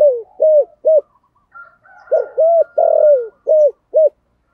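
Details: Spotted dove, 'thổ sấm' voice style, calling loudly across the hamlet; the tail of one phrase, a pause with faint thin chirps from other birds, then a full five-coo phrase with a drawn-out sliding middle note.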